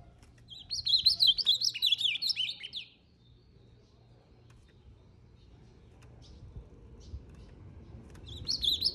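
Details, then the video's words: Ultramarine grosbeak, described as in the heat of fighting, delivers a bright two-second run of quick looping whistles, falls quiet for several seconds amid low background rumble, then starts another whistled phrase at the end. "Azulão Zé lezinho o topado"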